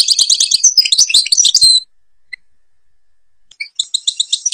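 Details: A European goldfinch in Algeria delivers a quick, jangling phrase of high twitters and trills, falls silent for about two seconds, then starts a new series of short, evenly repeated chirps.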